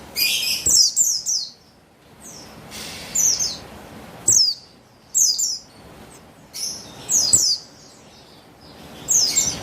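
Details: Female buxtoni white-eye, used to lure males into singing, dated 3/8/21: repeated bursts of clustered high chirps and twitters, each burst a second or less, recurring about every one to two seconds.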